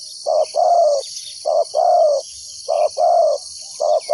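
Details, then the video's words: A decoy spotted dove, used to lure wild doves for trapping, coos in low, hollow pairs, a short note then a longer drawn-out one, about every second; faint insects hiss high in the background. "chim cu mồi gáy gọi bổi"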